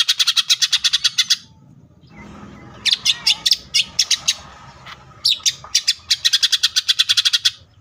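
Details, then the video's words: Rapid, evenly repeated high chips in long trains, about eight per second, from a greater green leafbird in "full tembakan" song, broken by a quieter stretch of spaced bursts over faint background hiss. "CUCAK IJO FULL TEMBAKAN❗MATERI BANYAK MANA MUNGKIN IJO KALIAN TIDAK IKUT GACOR!"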